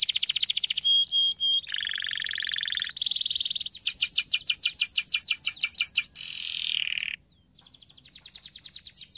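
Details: Canary song used for training canaries: loud, rapid tours shifting every second or so between high whistled notes, fast buzzy trills and rolling pulsed phrases, a brief pause near the end before another quick rattling trill.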